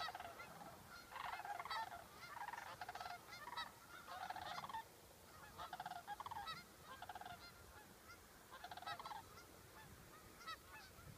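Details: Rolling, guttural rattles from sandhill cranes, recorded in August 2014 near Waite Park, Minnesota; bursts of about half a second are repeated in clusters, then briefly fade near the end.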